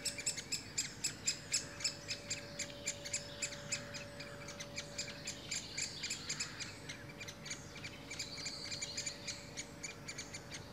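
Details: Great spotted woodpecker with young: rapid, sharp ticking chips repeated about four times a second for ten seconds, with a faint whistled note from another bird partway through and a constant low hum beneath.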